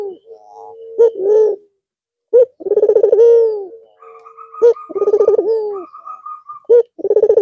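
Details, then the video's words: Barbary dove, white with red eyes, back to its manggung coo after the long Eid al-Fitr break; low rolling pulsed coos follow brief sharp notes, about one phrase every two seconds, with a higher steady whistled tone in the middle. "Puter Putih Mata Merah Manggung Lagi Setelah istirahat sekian Lama"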